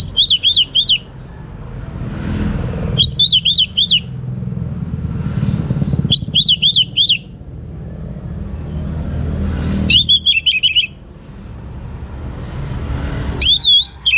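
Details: Singing young orange-headed thrush, played to encourage other birds to sing boldly: five bright phrases of rapid wavering whistles spaced about three seconds apart, with a constant low engine-like hum beneath.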